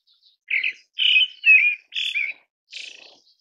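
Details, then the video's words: Pale thrush (Turdus pallidus) gives five short, high chattering notes at about two per second, the last fainter and hoarser; otherwise quiet. "白腹鶇/ Pale Thrush"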